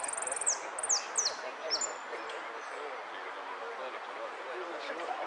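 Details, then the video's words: Saffron finch competing at a Monte Grande singing contest, 03 11 13, repique song: a fast high trill leading into three or four sharp falling whistles, then murmuring voices fill the rest. "Amarillo de Repique"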